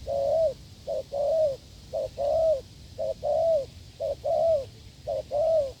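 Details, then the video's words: Wild spotted dove in farmland cooing hard after a failed decoy test: regular pairs of a clipped note and a longer arched coo, nearly one per second, against a soft low hum. "đụng bổi đồng gù cứng,gù lợi cốt quá phê"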